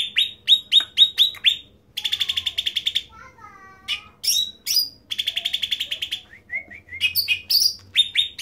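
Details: Bulbul known as cucak ranting singing at high volume: quick falling chirps, a buzzy rapid trill, soft wavering lower notes, then high sweeps and another fast rattle.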